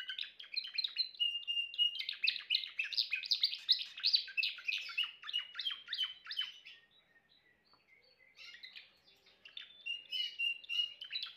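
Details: Timbrado canary pouring out a loud, dense rolling song of fast trills and chirps, dropping to a brief quiet gap before resuming with softer whistled and chattered phrases.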